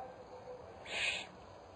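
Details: Spotted eagle-owl (Bubo africanus) at its nest on 22 October 2010 as the mother visits; a single harsh, breathy hiss lasting about a third of a second rises out of steady low background noise.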